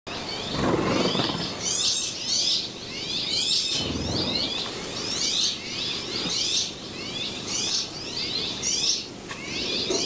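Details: Rock sparrow feeding a chick outside the nest in Spain in June: busy, high chirps and short twittering notes in loose overlapping bursts, about one a second, with brief low gusts of wind.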